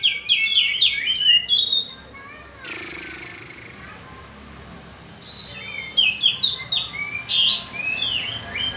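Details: Sooty-headed bulbul lure calling, with quick chirpy, falling whistled notes at the start, a long stretch of hiss, then more bright chirps and slurred notes resuming toward the end.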